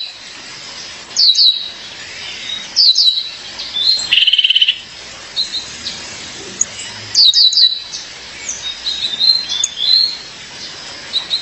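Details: A female Violaceous euphonia calls to her partner with bursts of quick, piercing, high descending chips, heard three times across the recording, plus one short buzzy trill in the middle and softer thin notes between.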